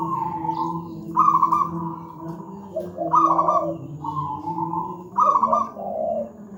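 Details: Local wild zebra dove with a thick, loud, tightly spaced song, used as a master for untrained doves: rhythmic trilled cooing phrases recurring roughly every two seconds, each sliding into lower rounded notes, over a steady low drone.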